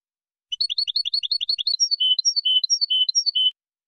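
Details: Linked two-change goldfinch song in the Mazagan style, delivered clean: fast repeated two-note chirps for over a second, shifting into a slower pattern of higher slurred notes and steady lower whistles, nothing else audible.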